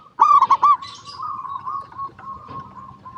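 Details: Local zebra dove used as a singing lure for other zebra doves: one loud burst of three fast rolling coos, then a long quieter stretch of level, slightly wavering cooing.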